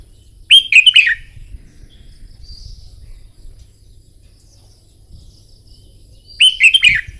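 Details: Red-whiskered bulbul during morning song-contest training, two energetic warbled phrases of quick slurred whistles about six seconds apart, separated by near silence with faint soft chirps and low background rumble.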